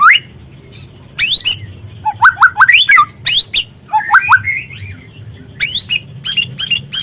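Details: Young white-rumped shama (murai trotol) singing as a lure: upward whistles, clipped chip series, repeated triple notes and looping phrases, loud and varied, with a constant low drone behind.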